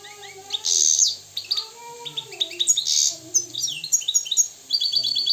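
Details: European goldfinch from Morocco, described as free and wild, giving a jumbled song of high tinkling notes and buzzy bursts, with softer lower warbled slides weaving underneath.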